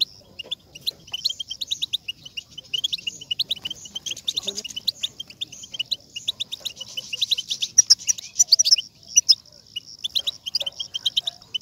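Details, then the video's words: A European goldfinch sings a fast, unbroken stream of bright, tinkling twitters mixed with buzzy, liquid notes, high-pitched and lively, over a quiet background; used as a recording to stimulate goldfinches to sing. "بتبتة لتحفيز الحسون و جعله يغرد فوراً"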